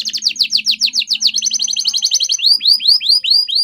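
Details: Canary training song: a fast trill of repeated downward-sweeping notes, then a run of rising, arching whistled notes at a slower beat, with a faint low hum in the first two seconds.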